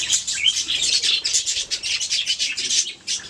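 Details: A budgerigar warbles continuously: fast, scratchy, high-pitched chirps and squeaks run together with brief rising notes and barely a pause.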